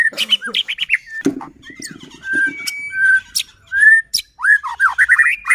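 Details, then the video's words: White-rumped shama (murai batu) singing constantly, used as a lure to provoke other shamas into song and agitation; varied clear whistled phrases, some rising and falling, broken by a stretch of low buzzy notes and scattered sharp clicks. "Murai batu gacor AMPUH buat PANCINGAN murai batu agar bunyi JADIKAN burung murai EMOSI"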